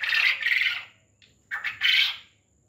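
A quail gives a harsh, buzzy rasp, then a short stuttered note and a second loud rasp, all high-pitched and scratchy, with a quiet background.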